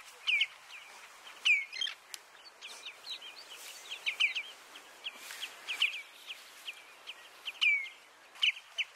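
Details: Eurasian oystercatcher (Haematopus o. ostralegus) at Flatey, Iceland, in June, giving loud, shrill, down-slurred 'kleep' notes at irregular intervals of about a second, over softer piping from other birds nearby.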